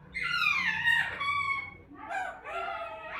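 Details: Pet parrot talking indoors, speaking Hindi phrases such as “kaun aaya?” (who came?) and “meri mummy”: two squawky, nasal, speech-like utterances with a pause between, high and harsh in tone.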